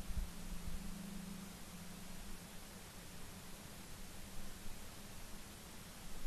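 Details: Even hissing static with a low steady hum and a few soft bumps, with no animal sounds.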